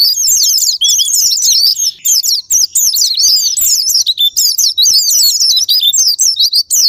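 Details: Sparring-partner song of the Japanese white-eye, used as lure audio so kept pleci stop staying silent. Rapid, shrill, tumbling twitter in long runs broken by short pauses, steady and loud.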